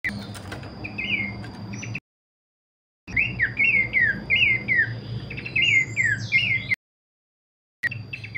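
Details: Horsfield's babbler, known locally as pelanduk semak, delivering kleperan song as quick trains of falling whistles, about three a second, interrupted by silent gaps, with a steady high tone and low hum behind.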